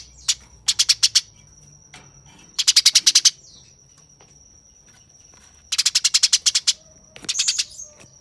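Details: Eurasian tree sparrow during a fight, repeating dense bursts of seven to ten rough chirps every couple of seconds, with a steady high-pitched whine in the background.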